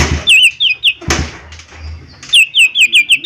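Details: Three ringing, downward-slurred whistles from the cucak ijo mini, or lesser green leafbird, come before a loud thump, then a faster series of about six similar notes with bright metallic overtones.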